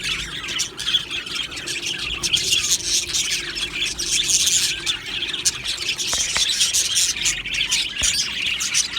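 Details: Australian budgerigar colony in an aviary, described as happy, chirping together: dense, continuous high chatter of many overlapping squeaky chirps and warbles, with a few sharp clicks near the end.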